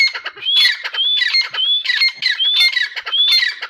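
Grey Francolin giving loud, harsh squawking calls with rising whistled notes, repeated in quick bursts roughly every half second.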